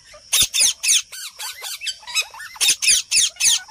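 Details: Parrots heard in nature: a fast, steady run of harsh screeching squawks, roughly four per second, with short hooked notes between the louder bursts, and a faint high whine behind.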